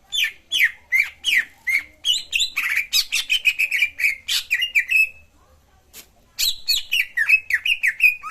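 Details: Greater green leafbird lure song used to make a silent cucak ijo sing: fast chattering sequence of downslurred chirps and buzzy notes, a pause near the middle, then the chattering resumes.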